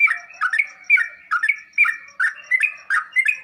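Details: Sooty-headed bulbul singing to make other birds answer: quick bubbly whistled notes in pairs, repeated roughly every half second, with a faint high ticking underneath.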